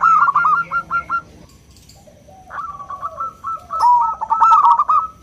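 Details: Small local zebra dove singing loudly in the clear 'crystal' style, used as a lure for other doves: a run of clipped notes, a quiet gap, then a rising note and a fast stuttering trill of coos.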